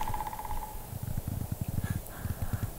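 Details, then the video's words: An unusually loud, deep, resonant woodpecker heard twice on a hiking trail in Florida gives a quick run of about eight even, mid-pitched notes, followed by rapid low, deep thumping pulses. "that was like the loudest deepest most resonant woodpecker I've ever heard"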